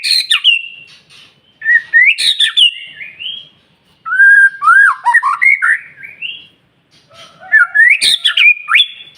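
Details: Lure song of a white-rumped shama for mornings, meant to set other shamas singing: three bursts of varied, sliding whistles with sharp clicky accents, each lasting about two seconds, with brief silences between them.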